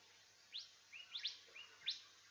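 A Golden Whistler gives clear, sharply rising whistled notes, about five in two seconds, some in quick pairs, over a quiet background.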